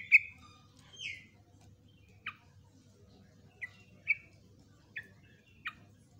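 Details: Yellow-vented bulbul singing a long ropelan song, nguklik and ngecruk style, recorded as master material for training trucukan; sharp clipped chirps spaced about a second apart, the first loudest, over a quiet low hum.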